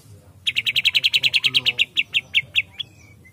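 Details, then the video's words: Murai batu, the white-rumped shama, in excited, vigorous (gacor) song: a quick train of about fifteen loud, ringing chip notes that slows near the end, then a soft falling whistle. "murai batu langsung emosi dan gacor lagi"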